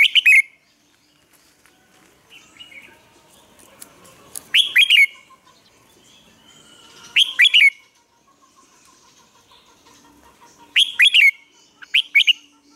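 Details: Red-whiskered bulbul used as a lure bird to train caged bulbuls to sing: short bursts of bright, warbled whistled phrases with sharp clicks, repeated about every three seconds with quiet gaps between.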